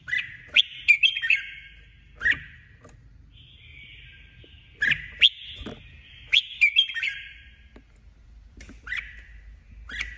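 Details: Caged female red-whiskered bulbul, a decoy bird for competitive singing and trapping. It repeats short rich, warbling whistled phrases several times, with sharp clicky notes in between and brief quiet gaps.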